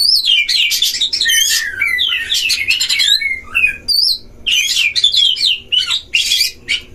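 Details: Oriental magpie-robin singing at a breeding cage, used as a lure to provoke other magpie-robins: loud, varied song of whistled slurs, harsh buzzy bursts and rapid chattering notes, continuous with short pauses.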